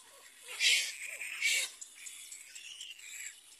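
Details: Little black cormorant at feeding time, ready to feed its young: two loud, harsh, hissing high-pitched bursts about a second apart, then softer wheezy calls trailing off.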